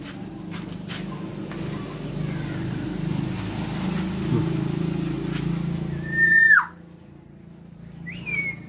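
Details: Tame female black-naped oriole, a lively singer, gives a loud fluted whistle that slides downward, then a shorter rising-then-falling whistle a second later, after several seconds of low rumbling background noise and faint voices.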